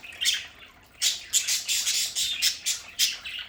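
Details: Several pet budgerigars in their home play area give harsh, bright squawks and chirps in quick bursts, roughly one burst every half second, with short quiet gaps between.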